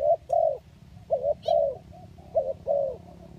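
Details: Kacuk or kampung spotted dove calling for a trapping lure: short burry coos followed by longer wavering ones, three phrases in a few seconds, a brief high chirp from another bird mid-way.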